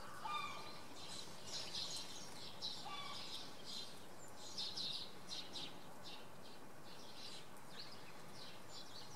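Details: Common redpolls on a Sunday morning at Oksywie, Poland: faint, short high chirps and buzzy call notes come in scattered bursts through steady low background rumble.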